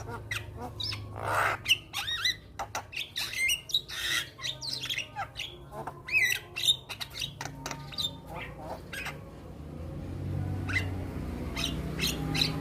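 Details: White-headed black-winged starling singing hard while bobbing: a long jumble of harsh rasps, clicks and squeaky whistles, thinning toward the end as a low rumble rises in the background.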